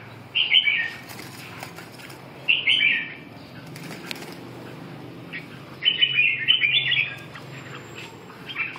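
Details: Red-whiskered bulbul giving three brief warbling phrases of mid-pitched slurred notes, separated by pauses of two to three seconds, the last phrase longer and more varied, with faint background hiss.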